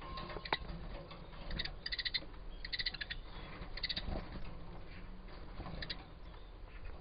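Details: An adult pair of Eurasian siskins in a breeding cage give short bursts of high, twittering, slightly buzzy chirps in several clusters, over a steady low background rumble.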